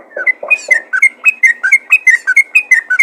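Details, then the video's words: Lively trucukan calling to other bulbuls: a few low rough notes at the start, then a quick series of clear, slurred whistled chirps repeated steadily over three seconds. "panggilan burung trucukan ropel gacor memanggil trucukan lain"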